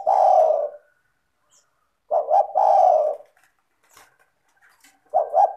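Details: Spotted dove singing densely and clearly, used to draw other spotted doves into calling: the end of one long coo, then full phrases of two short notes and a sustained throaty coo, repeating about every two and a half seconds.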